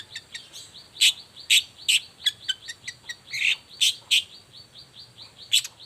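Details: Long-tailed shrike morning song, used as a lure so other shrikes start singing: loud piercing chip notes, roughly two per second, mixed with softer high ticks between them.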